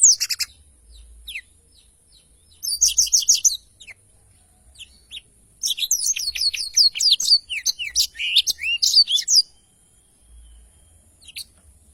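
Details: A Blackthroat sings in spurts: scattered high notes, then two long runs of rapid, shrill twittering and whistles, with quieter gaps between.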